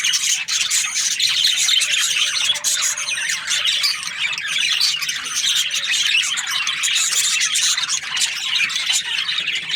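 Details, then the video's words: A dense wall of budgerigar chatter: continuous high twittering and squawky warbles from several birds at once, holding an even loudness throughout. "Australian budgies parrot chirping sounds"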